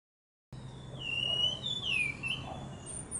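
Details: Ashy thrush song: a short run of clear, sliding whistled notes, each dipping downward in a smooth glide, with a faint low hum underneath.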